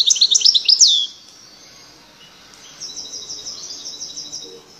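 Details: Loud European goldfinch song opening with a fast one-second flurry of high, liquid twitters, followed after a quiet gap by a softer, even series of rapid chirps.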